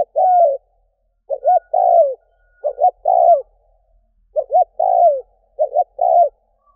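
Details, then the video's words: Spotted dove used as a lure for wild doves, giving repeated cooing phrases: a rapid two-part stutter then a drawn-out, downward-curving croo, about four phrases separated by short silences. "Cu mồi kèm || Tiếng chim cu gáy kích bổi nhanh nổi"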